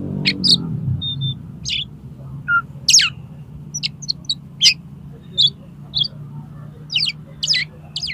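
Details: Oriental magpie-robin song while challenging a rival to fight: scattered sharp chirps and brief whistles, separated by pauses, over a low background rumble.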